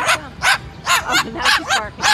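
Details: A pet cockatoo in a New York City park barks at a dog, imitating it with five harsh, bark-like yaps in quick succession.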